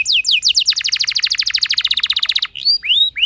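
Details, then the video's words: Canary song meant to trigger other canaries into rolling: a few falling whistles lead into a long fast rhythmic roll of evenly spaced notes, ending with two slurred rising whistles. "Burung Kenari Lain Bakal Langsung Ikut Gacor Ngerol Mewah Dengan Pancingan"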